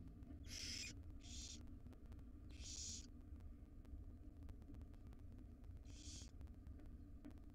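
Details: Wild barn owl young, five in a nest box, beg while their mother feeds them breakfast: four raspy hiss bursts, three bunched early then one after a pause, over a low humming background with clicks.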